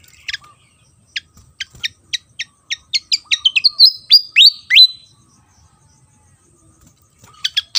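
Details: Song of a Javan fantail from Java: one sharp note, then a steady accelerating series of high clipped notes building into looping rising whistles and a drawn-out whistle, a pause, and more sharp notes starting again.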